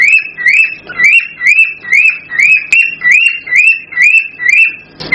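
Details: Male cockatiel in excited breeding song to stir a female: a steady series of clear upslurred whistles, about two each second, evenly repeated, with a brief scratchy burst at the end.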